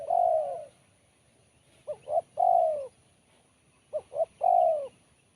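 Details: A spotted dove sings the BL Kuk 1 pattern in a crisp, sharp voice. The end of one long coo is followed by two full phrases, each two short hoots and a drawn-out descending coo.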